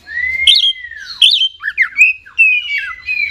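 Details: Oriental magpie-robin, a prized Indonesian songbird, singing 'gacor': a long clear rising-then-falling whistle followed by sweet slurred notes, squeaky twangs and steady whistled tones.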